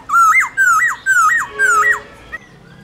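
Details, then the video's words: Black-throated laughingthrush kept as a cage bird, singing forest-voice phrases: four loud whistles, each level at first and then jumping upward, repeated about every half second. "Khướu Hót giọng rừng NHIỀU GIỌNG HAY"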